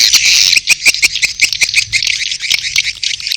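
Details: Edible-nest swiftlet mating calls mixed with chick calls: a dense stream of sharp, high twittering chirps, rapid and overlapping, with brief clicking pulses throughout and a faint low hum underneath.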